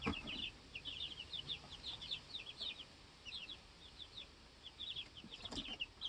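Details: Two-week-old baby chickens in a homestead coop, learning to fly, hopping about and challenging each other to set pecking order; several chicks give quick, high, overlapping peeps throughout, with a couple of soft knocks.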